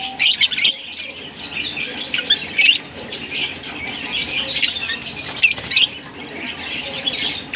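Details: Chattering lovebirds from Larkana keep up a constant shrill twitter of high squeaky notes, broken by loud sharp squawks early on and again after the midpoint.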